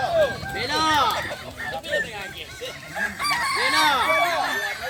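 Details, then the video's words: At a crowing contest on a dairy farm in Solok Regency, kukuak balenggek roosters give a tangle of short arched crows from many birds, with crowd chatter underneath. "Lomba ayam kukuak balenggek"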